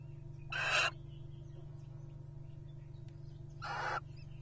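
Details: Wild Little Owls courting at nest boxes in 2023 give two harsh, broadband calls, each about half a second long, spaced roughly three seconds apart over a steady low hum.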